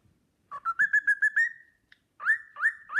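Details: Short stretch of a pet cockatiel's Sportpalast Waltz: a stepped, gently ascending trill of clear whistled notes, a held tone fading out, then three separate upslurred whistles after a pause.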